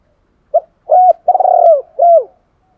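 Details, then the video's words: Spotted dove coo phrase played to draw in wild doves: a short note, then a longer one, then a drawn-out, slightly pulsing coo and a final falling note, all low and mellow. "chim cu gáy thúc gáy gọi bổi rất nhanh về cội/ tiếng chim cu gáy tập bổi và mồi hiệu quả"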